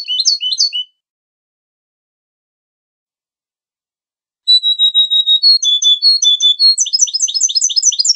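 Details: Goldfinch song: a short burst of twittering, a silence of several seconds, then steady whistled tones that turn into fast, high trilled notes.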